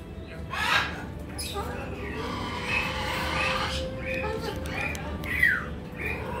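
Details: Bare-eyed cockatoo (little corella, Cacatua sanguinea), a quiet, laid-back male pet, gives harsh, raspy squawks and chattering, almost speech-like mutterings in irregular bursts over a steady low background hum.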